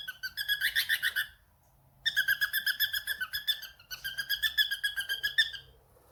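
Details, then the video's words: A cockatiel at home answering a phone call gives three bouts of fast, pulsing, ringing notes, each bout over a second long, separated by brief silences. "the cockatiel fam: Answering a phone call"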